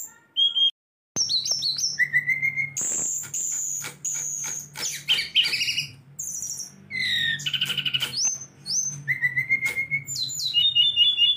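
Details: Tame kept Hill Blue Flycatcher, known locally as sulingan gunung or tledekan, with many song variations. It sings a varied run of clear whistled phrases: high slurred notes, lower steady whistles and rapid trills with short pauses. A faint low hum underlies it.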